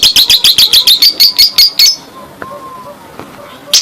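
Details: Lovebird in ngekek chatter, played to get other lovebirds singing: a quick run of about ten loud harsh notes, then quiet with faint lower whistles and a final sharp squeak.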